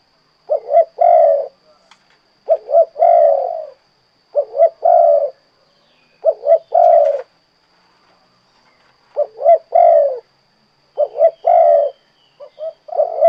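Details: Spotted dove (derkuku, tekukur) repeating its 'kuk 2' style song. Six mellow phrases, each with two quick coo notes leading into a longer held note, come roughly every two seconds with clean silences between.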